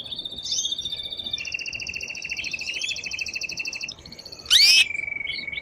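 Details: Male canary singing strongly to stimulate the female to mate and train chicks: layered rapid trills at two pitches, a sudden harsh loud burst, then a steady whistled note over background hiss.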